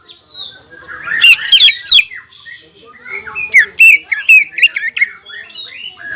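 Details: Greater green leafbird in full, provoking song toward a rival: rich, tumbling whistles and chatter, a brief lull, then a series of clear, downward-slurred whistles repeated rapidly, with varied mimic-like notes.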